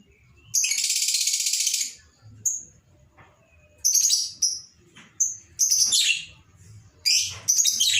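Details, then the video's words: Lovebird in excited ngekek style, a lure to set other birds singing: a loud, buzzy, continuous chatter lasting over a second, then a string of short, sharp, high chirps, with a low background hum. "Pancingan suara love bird emosi dan ngekek panjang"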